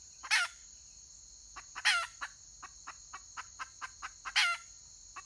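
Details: Red junglefowl hen on 31 May 2023 gives three harsh, rasping calls about two seconds apart, with a run of soft, evenly spaced clucks between them, under a continuous high insect buzz.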